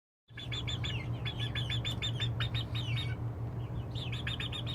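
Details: Several young chicks peeping at night as they settle onto their perches, the first night all managed it unaided; high, arched peeps repeated quickly in an uneven series, over a steady low hum.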